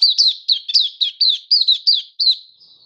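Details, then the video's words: Hobby-kept oriental white-eye singing happily in open song on 24 February 2023: a steady stream of high, bright chirps, each sliding up then down, about four per second, ending with a soft high note. "Mata Puteh Happy Buka Sing"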